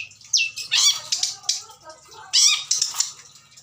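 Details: Adult long-tailed shrike kept as breeding stock, its song said to be packed with mimicry: scratchy squawks and sharp descending slurs in uneven bursts, separated by brief pauses, with a faint low hum beneath.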